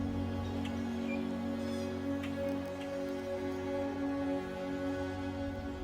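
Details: Soft, sustained new-age music over a faint patter like rain, with no animal calls.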